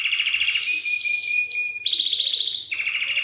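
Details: Belgian canary song meant to encourage young canaries to sing: loud, fast, rolling trills that step between pitches, each phrase a dense rapid repetition of short notes.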